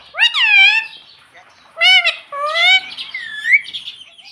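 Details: Pet ringneck parrot saying "mommy" in its own voice: loud, shrill, harmonic syllables that dip then rise, given in quick succession, then trailing off into quieter warbling.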